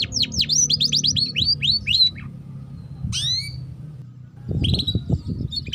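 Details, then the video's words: Canary lure song for young birds learning 'ngeriwik' chatter. Opens with a quick run of about ten sharp falling notes, then a lone sweeping call after a pause and faint high trills at the end, with low rumbling noise. "Pancingan Kenari Paud Cepat Bunyi || Cocok Untuk Kenari Paud Belajar Bunyi Ngeriwik"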